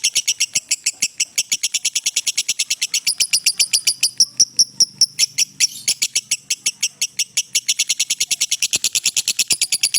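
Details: Lengthy 'ngekek' trill from a lovebird, meant as master material for training: ten seconds of fast, high, rattling chatter that slows to spaced notes midway, then resumes its quick even rhythm.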